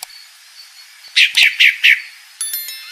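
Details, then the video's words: Female pale-breasted thrush calling: a quick series of four sharp, downslurred chip notes in under a second, followed by a brief metallic clink. "Fêmea Sabiá Branca Barranqueira Chamando"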